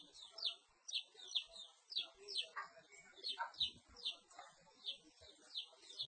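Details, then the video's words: Song of a perci bird: sharp, high notes slurring downward, repeated roughly twice a second, with occasional lower notes and softer chirps filling the gaps. "Suara Burung Perci"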